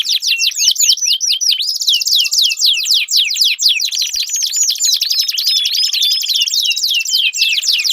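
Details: A canary sings at length, a recording meant to stimulate a silent canary: quick chirping sweeps give way to a churring buzzy trill, then varied looping whistled phrases at a brisk pace.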